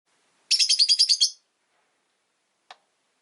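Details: Rosy-faced lovebird, one of five caged by a window, giving a rapid burst of about eight harsh, high chirps in under a second, followed by a single faint lower click; otherwise quiet.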